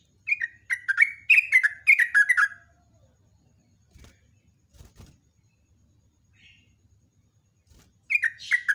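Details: Morning lure recording of a yellow-vented bulbul's long, rapid song: a fast run of bright, descending two-part chirps, then near silence with faint knocks, before the chirping run starts again.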